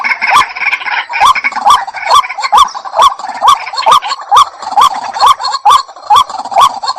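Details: Short hooked notes repeated about twice a second in an even rhythm from a white-breasted waterhen, each note separated by a sharp click, with a faint background hum.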